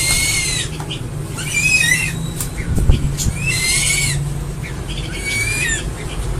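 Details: Crested eagle giving a series of high, arched, whistled calls with bright overtones, four drawn-out slurred notes about a second apart over a constant low rumbling hum.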